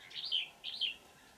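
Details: Wild old red-whiskered bulbul with a bell-like, tightly twisting voice, trapped with a decoy on 20 December 2018: two short, bright whistled phrases, each a quick rising-then-falling slur, separated by a brief pause.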